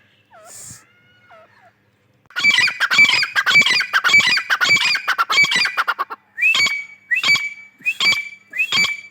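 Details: Grey francolin (teetar) calling in breeding season: after faint sounds, a loud burst of harsh, rapidly repeated notes, then four evenly spaced ringing calls, each with a sharp rising note, roughly one per second.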